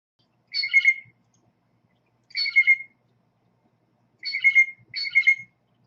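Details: Blue jay calls played slowed down: harsh, raspy notes, each about half a second long, given singly and then as a quick pair, with silence between them.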